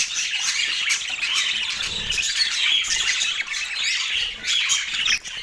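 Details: Parakeets at their morning meal in autumn, calling with a steady mix of rasping squawks and thin chirps that barely pause.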